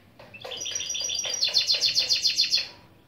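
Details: Mule, a European goldfinch and canary cross, giving an opening song phrase. Several sharp, high chirps speed into a loud, ringing, rhythmic run of about a dozen evenly repeated notes, then stop abruptly.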